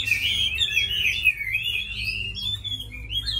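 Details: A tame hwamei in a cage, a fighting bird, gives a flowing, warbling whistled phrase that wanders up and down, ending in a rising high note; faint low hum behind.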